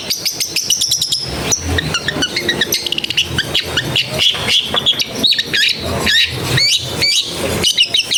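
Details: Long-tailed shrike recorded at home in a densely populated area, a recording meant to get lazy birds singing: dense run of sharp chirps, buzzy rattles and quick upswept whistles, with a rapid clicking burst at the start.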